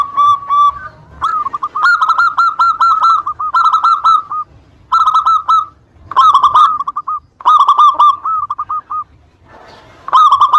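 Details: Zebra dove (local type) in full song, used to provoke rival birds: repeated phrases of fast, hollow, rolling coos, each lasting about a second, with a brief pause between most of them.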